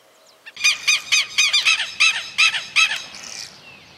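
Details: A Southern Lapwing in rural Santa Fe, Argentina, in 2023, gives about nine harsh, loud, strident notes, roughly three per second, with no other sounds. Depending on the situation these are alarm calls or loud cries.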